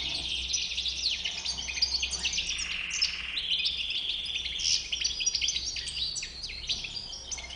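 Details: European goldfinch, white-bibbed 'bouc blanc' form, in a sustained, lively song of jumbled high chirps, tinkling trills and buzzy phrases, delivered nonstop across the whole stretch, with quiet low-pitched hum beneath.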